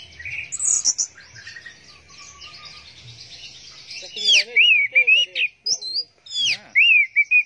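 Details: Orange-headed thrush with teler song, where a faint hissy stretch gives way to loud sweeping whistles that dip and rise, repeated in quick, uneven bursts.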